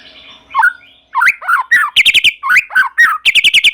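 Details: White-rumped shama in lively song that draws other shamas to sing: after a soft hum, swooping whistled notes give way to quick stuttering chatter and repeated rapid trilled bursts.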